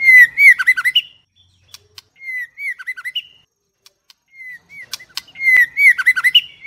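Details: Female White-rumped shama, caged, repeats a warbled whistled phrase several times with pauses between, each phrase a quick series of looping notes ending in a higher flourish.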